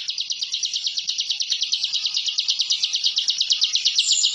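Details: Bar-winged prinia masteran song in 'ngebren' style, used for training songbirds; a continuous high buzzy rattle of quick repeated notes, slightly less regular, with a thin higher squeak near the end.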